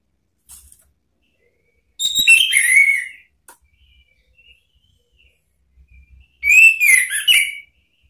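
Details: Orange-headed thrush (anis merah) song used to call and provoke a rival: two bursts of rich whistled, slurred notes separated by a few seconds of quiet with faint ticks.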